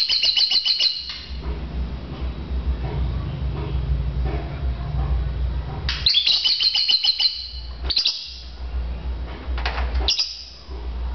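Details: Lovebirds in a bird-to-bird chirping contest: bursts of shrill, high, rapid chirps near the start and again after six seconds, with quieter clusters between, over a steady low hum.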